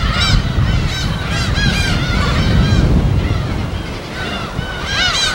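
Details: Gulls at their natural habitat on an uninhabited West Sea island: scattered arched mewing cries, louder near the end, over heavy low wave and wind rumble.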